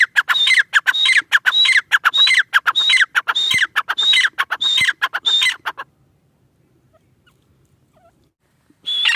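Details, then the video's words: A pair of Irani (Iranian) teetar, or francolins: a fast series of loud, harsh, buzzy notes, about two every second, each with a bright whistled tone on top, running for six seconds, then silence and one more burst. "Teetar pair ki awaz | irani teetar ki awaz"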